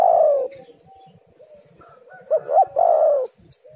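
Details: Spotted dove, known locally as tekukur or derkuku, cooing as a lure call to draw in other doves. A low mellow coo opens, then after a quiet gap come two short rising notes and a longer falling, rolling coo, all low-pitched.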